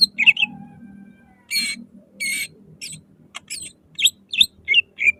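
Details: Loud greater green leafbird song meant to spur other leafbirds to sing, in the 'nembak' shooting style: scattered harsh, rasping bursts and sharp upslurred whistles separated by pauses, over a faint low hum.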